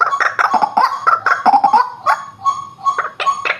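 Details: White-breasted waterhen lure call: rough, croaking notes in a quick jumble, easing into evenly spaced nasal 'kwak' notes.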